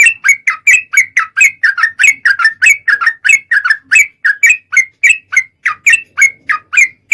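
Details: Sooty-headed bulbul, recorded as a lure meant to make other bulbuls start singing: a steady run of short, bubbly whistled notes that dip and rise, repeated roughly every third of a second.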